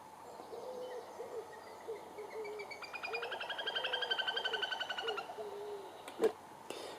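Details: Little grebe (Tachybaptus ruficollis) display call, given when intruding neighbours or potential predators such as magpies, crows, coots or ducks are near: a shrill, whinnying trill of rapid pulses for about two seconds, with a man's voice beneath and a sharp click after.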